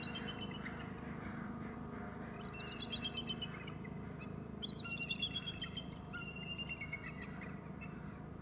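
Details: Bald eagle calling from near the nest. Two strong bursts of rapid, high, stuttering whistled notes that trail off in pitch, plus fainter chitters, over a steady low background hum.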